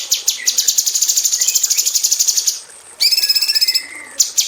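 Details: Caged female cucak cungkok bulbul, aviary, song used to train magpie robins: a fast rattling series of high strokes, a pause, then a harsh buzzy rattle and a couple of sharp notes.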